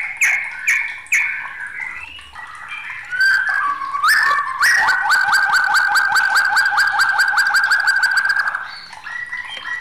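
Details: White-rumped shama singing in an agitated, raging mood: a few clear whistled notes, then a long, rapid, buzzy trill of even pulses lasting about four seconds before it trails off into softer notes.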